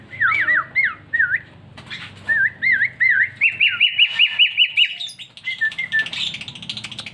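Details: Captive sooty-headed bulbul at a house with many other birds, slowly picking up their songs. Looping whistled notes, then a fast regular run of rising whistles, ending in a scratchier jumbled phrase.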